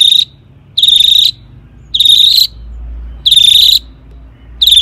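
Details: Rasping, buzzy bursts from a long-tailed shrike, each about half a second, repeated at an even pace of roughly one per 1.3 seconds; used as a lure to make other shrikes sing.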